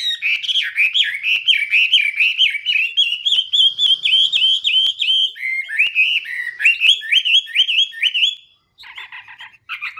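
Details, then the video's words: Chinese hwamei delivering a long series of repeated, downward-slurred whistled notes in a steady rhythm. A short pause near the end is followed by a brief buzzy burst. "Chim Họa Mi | Chim Hoa Mi Hót hay Nhất năm 2017"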